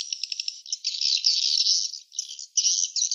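Swiftlets give dense, buzzy, rattling chirps, at first in quick pulses and then in near-continuous high chatter broken by brief pauses.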